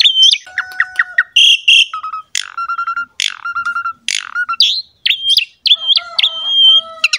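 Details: Asian pied starling master song for a reluctant singer: clear whistled notes, some held steady and repeated in rows, mixed with brief harsh bursts and quick chips.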